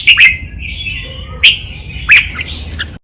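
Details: Red-whiskered bulbul 'lak wai' doubled training song: three short, sharp rising notes roughly half a second apart, linked by a faint sustained whistle, with low background hum.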